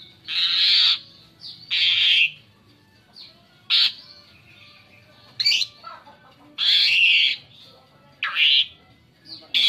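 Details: Asian pied starling varied song used to lure other birds: harsh, broad squawky bursts about every second or two, alternating with short thin whistles and quiet gaps.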